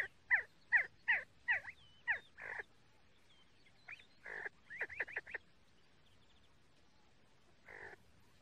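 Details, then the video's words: See-see partridge calling: a loud series of harsh notes rich in overtones, about every half second, then a pause and quicker bursts of short rising notes against a quiet background. "See See partridge sound Кабги Зирак Шикор"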